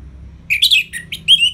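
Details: Ngeplong-style song of an orange-headed thrush, or anis merah: short bursts of quick, slurred whistles and chattering notes, broken by brief pauses, ending in a clear rising and falling whistle.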